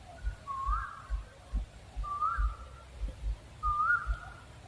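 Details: {'caption': 'Owl call heard as three rising whistled notes with short flat tails, spaced over a second apart, over steady low thudding background noise.'}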